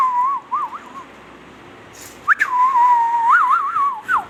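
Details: A pet Indian ringneck (rose-ringed) parakeet gives a clear, wavering whistle near one pitch, with quick up-and-down warbles and short swoops in two phrases, in a quiet room; no words are heard.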